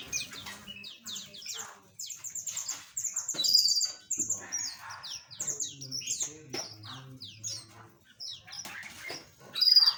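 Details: Busy chorus of small aviary birds: dense high chirps and quick whistled slurs that overlap almost continuously, with brief lower buzzy notes.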